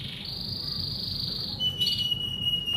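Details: Male canary in Indonesia, ready to be paired with a female for breeding, singing a long sustained high buzzing roll that drops to a steady whistled tone, then a brief rapid flourish.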